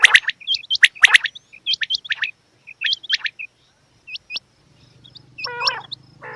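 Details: Female quail calling: sharp hooked chirps and short harmonic bursts in uneven runs, about one a second, fading into a low hum and a raspy note near the end.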